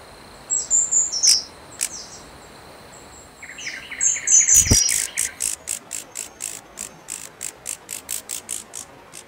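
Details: Snowy-browed flycatcher: high, thin whistled notes at first, then a long series of dry, clicking ticks repeated about twice a second, slowly fading.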